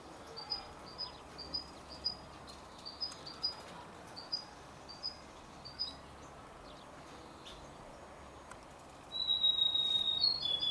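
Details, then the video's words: Young canary and European goldfinch hybrid, 33 days old, giving short high chirps in a loose series roughly every half second, followed near the end by a louder, sustained thin whistle over a steady background hiss. "canari x chardonneret a 33 jours"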